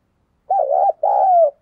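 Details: Spotted dove giving a 'thúc gù' cooing call used to lure wild doves: two clean, hollow coo notes, the first wavering, the second longer and gently falling, against complete silence.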